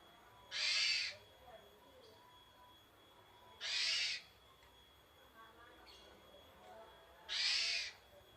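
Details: Javan pied starling giving its basic song. Three harsh, raspy, hissing bursts, each about half a second long, come roughly every three seconds over a quiet background with a faint steady tone.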